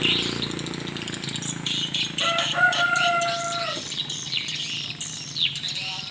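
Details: Evening swiftlets at a small swiftlet house, high rapid chirps and twitters repeating about four times a second, joined midway by a steady lower tonal sound lasting over a second, over a faint low hum.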